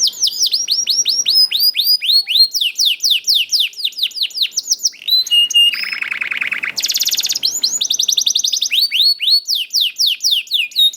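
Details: Young canary (kenari paud) song used to prompt other canaries to sing: rapid series of high whistled sweeps, fast trills and a buzzy rattle, notes repeated about four per second, bright and continuous.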